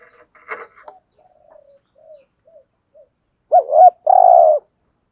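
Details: Spotted dove singing in the thổ voice style, a thúc gù coo: soft scattered low murmurs, then one loud phrase of a double-humped hooting note followed by a longer, buzzy, steady coo.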